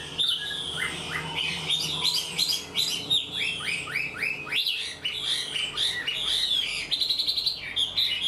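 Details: Chinese hwamei, an untrained caged bird singing a full structured song like a tame one. Dense bright whistled phrases run almost without pause, with rows of repeated upslurred notes and a fast rattling trill near the end.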